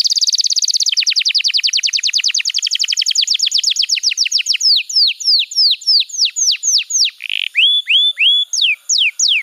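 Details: Canary master song for young canaries in training: a fast rattling roll that slows into evenly repeated downslurred whistles, a short buzzy note, then spaced falling and rising whistles.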